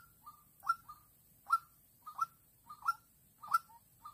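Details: Young captive decoy white-breasted waterhen used for trapping in Vĩnh Long, calling on 16 March 2022 to lure a lone, aggressive wild female: short clipped notes with drooping tails, repeated in pairs about every 0.6–0.7 seconds. A faint low hum sits underneath.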